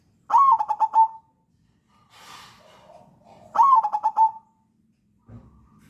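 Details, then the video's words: Zebra dove song used as a lure to make other doves sing: a bright warbled opening followed by a rapid series of rolling notes, heard twice about three seconds apart, with faint background noise. "PANCINGAN PERKUTUT CROSSING YANG PALING AMPUH UNTUK MEMANCING PERKUTUT BAHAN BUNYI"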